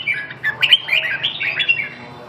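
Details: Red-whiskered bulbul giving a rapid, lively run of chirpy warbled and whistled notes, busy and continuous for about two seconds, then fading.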